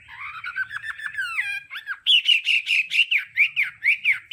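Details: Training song of a Hwamei in the 'đảo âm' style: a run of quick, even notes, a descending slurred whistle, then loud, rhythmic, rising and falling phrases repeated several times per second.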